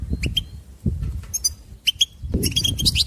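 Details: Goldfinch song to stimulate trainee singers: a few sparse, sharp chirps, then a busy twittering burst with warbled notes at the close, over soft low noise.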